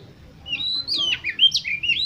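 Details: Oriental magpie-robin song for spurring contest birds to sing: a short burst of bright whistled slides, rising and falling notes following quickly one after another over faint low background hum.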